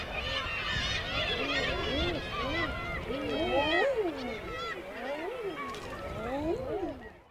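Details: Male common eiders crooning on nearby water at the Isle of May, Scotland, with many soft rising-falling ah-hoo notes overlapping, accompanied by busy, higher-pitched calls of seabirds flying to and from the ocean, fading out at the end.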